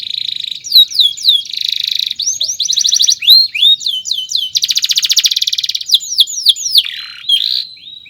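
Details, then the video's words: Canary song with long chirping phrases, offered as a master song for training other birds: rapid trills, repeated downslurred whistles and buzzy rattles alternate quickly at high pitch, fading toward the end. "SUARA BURUNG KENARI⁉️ Cuit cuit Panjang COCOK untuk Masteran PAUd"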